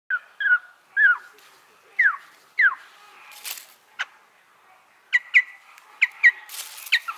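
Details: A pair of white-crested laughingthrushes (Garrulax leucolophus), male and female, gives short, clear downslurred whistles and chirps, about one or two a second, with a few sharp clicks and brief rustling bursts between.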